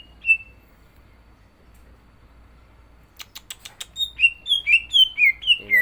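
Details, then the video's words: Caged greater green leafbird (cucak ijo) in full trilling kriwikan song, about to be pitted against a frequent champion: one whistle, a stretch of quiet, a dry clicking rattle, then a rapid cascade of whistled notes. "CUCAK IJO GACOR ISIAN"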